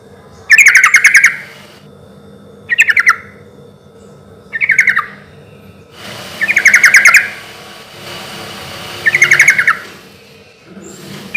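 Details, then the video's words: Sooty-headed bulbul singing loudly and steadily, used as a lure to prompt answers: five bubbly, rapidly warbled phrases, each under a second long, repeated every two seconds or so. "trucukan gacor suara keras irama santai sampai teler mantab buat pancingan trucuk agar cepat nyaut"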